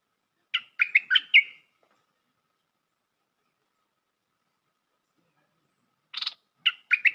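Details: Bulbul calling on a trapping lure track: a short run of sharp, rapid chattering notes, a long silence, then a harsh burst followed by more quick notes.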